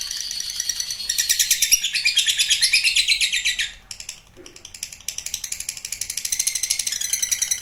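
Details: Lovebird giving a long trilling song, called ngekek panjang: dense, rapid high chattering trills running about 2.5 seconds, a brief pause, then resuming with steady repeated chirping notes.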